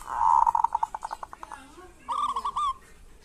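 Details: Local zebra dove singing kerot and bekur, meant to rouse reluctant doves. A loud coo breaks into fast pulses that fade away, then a shorter, clearer cooing phrase follows.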